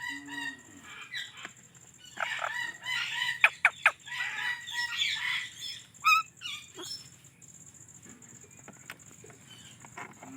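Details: Indian ringneck parrot chirping in a busy run of harsh, harmonic chirps and short squawks. The calls cluster between two and four seconds, with scattered sharp notes later and a faint steady hum behind.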